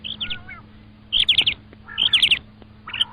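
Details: Common quail: three bursts of fast, high, ringing notes in tight groups of about four, each group roughly a second apart, with lower warbling calls and a faint hum beneath.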